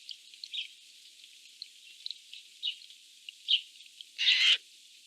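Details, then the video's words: Eurasian jays fighting for food: faint scattered chirps and ticks, then one loud, harsh, rasping screech lasting about a third of a second near the end, with low sounds absent. "Jays fighting for food 💥 Is it because they are happy that they are making noises❓"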